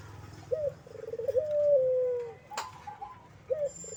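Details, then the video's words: Collared dove, local name burung puter, calling persistently in the ceplekan style: low, soft coos, a short coo followed by a long, drawn-out, slightly falling note, then more short coos, with one sharp click midway. "Suara Burung puter gacor ceplekan"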